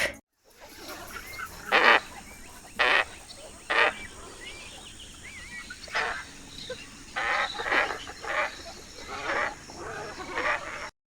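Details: Glossy Ibis in Sri Lanka wetland (Bellanwila Wetland Park listed) giving harsh, nasal grunting calls in short bursts, some single and some run together, with faint thin whistles from other birds behind.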